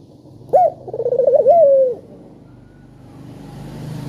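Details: One spotted dove call used to coax other doves: a short high note, a bubbling tremolo and a falling drawn coo, then a rising low rumble like a passing vehicle.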